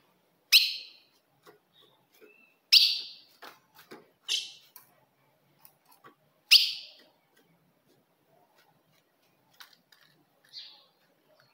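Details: Female ultramarine grosbeak call used to provoke a caged male: loud, sharp, clipped chip notes at irregular intervals of roughly two seconds, growing fainter toward the end, with soft clicks and knocks between.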